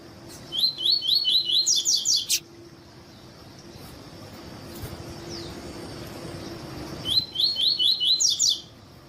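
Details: A double-collared seedeater (Sporophila caerulescens) song used for training other birds: two bursts of high, rapid song, each a run of quick repeated chirps that climbs into a jumbled trill, over a faint steady hum.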